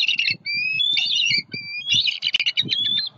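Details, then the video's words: Loud alarm calling from a nesting bald eagle pair in Southwest Florida, letting an overflying juvenile eagle know it is unwelcome near their eaglet; high, harsh squealing runs with thin whistled slurs, soft low thumps beneath. "SWFL Eagles * Juvie Disturbs the Peace! * Harriet & M15 Very Vocal * Protecting E14"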